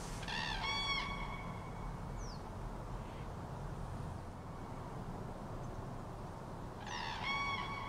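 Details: Common cranes in autumn 2023, giving loud, rolling, trumpet-like calls in two bursts, one at the start and one at the end, over a steady low rumble of wind.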